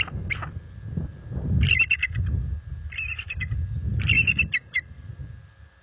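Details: Resident bald eagle pair, after dark on February 26, 2022, alerting at their nest against an intruder adult eagle: three bursts of high, rapid, chattering piping notes spaced about a second apart, over steady low wind rumble.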